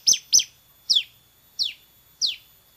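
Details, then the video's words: [6, 'Bar-winged prinia, loud: five separate, sharp, high downslurred notes, the first two close together and the rest about half a second apart, fading slightly.'] "MASTERAN CIBLEK SEMI GACOR VOLUME TEMBUS"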